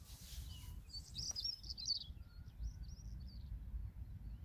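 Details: European stonechat (Saxicola rubicola) at Greenham Common on 28 March 2022 calls with a quick burst of high, scratchy notes, then a few thin chips trailing off, over steady low wind rumble.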